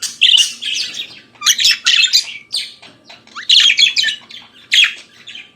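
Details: Budgerigar singing in the morning, bursts of harsh chatter and squeaky whistled notes, including a quick upward slur, separated by short gaps, over a faint low hum.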